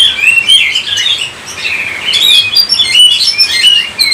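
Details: Oriental magpie-robin pouring out a varied song of clear rising and falling whistles mixed with harsher chatter, steady and loud throughout.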